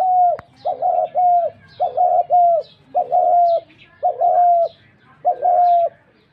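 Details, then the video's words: Dove repeating paired mid-pitched notes, a brief note then a longer steady one, roughly once a second, with a sharp click at the start and faint bird chirps behind. "Dak Gugu pakhir dove"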